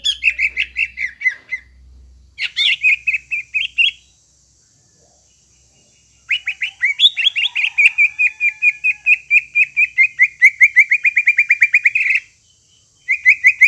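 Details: Greater green leafbird singing, meant to trigger a bird that has gone quiet: long runs of rapid, bright chirps repeated many times per second, broken by short silences, with a faint low hum early on.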